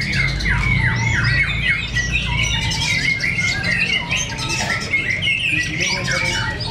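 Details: Murai batu, white-rumped shamas kept as fighter birds, battle in song at Cibinong. Quick slurred whistles repeat in rising-falling runs, layered with chattering notes and a constant low background rumble.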